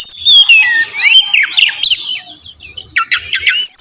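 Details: Song of an oriental magpie-robin played as a lure to draw a reply: descending whistle, then buzzy warbled notes and a series of sharp chipping calls.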